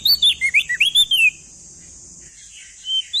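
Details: Lively male crested white-eye song from East Nusa Tenggara, used to train young birds. A fast burst of bright, slurred whistles lasts about a second, then near silence, then two more rising whistles.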